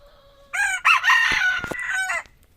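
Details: Red junglefowl, described as F2 generation, crowing: a single loud, harsh crow of about 1.7 seconds, opening with a short burst, then a long strained middle phrase and a clipped ending, over a quiet background.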